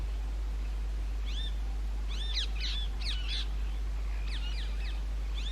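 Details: Rose-ringed parakeets breeding in old railway bridge holes in summer: bursts of shrill, arching screeches in two clusters, separated by a short pause, over a quiet background hum.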